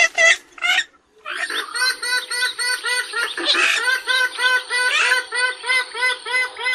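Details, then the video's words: Purple swamphen giving a fast, cackling run of repeated nasal notes, about three per second, after two brief opening calls. A faint steady high-pitched hiss runs in the background. "কালিম পাখির সেরা ডাক / বুরি পাখির ডাক / Kalim pakir duk /Purple Gallinule bird call"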